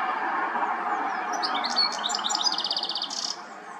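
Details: European goldfinch recorded with a Nikon P1000: a short burst of tinkling, twittering song with quick slurred notes and a rapid buzzy trill, sung over a loud, steady background roar.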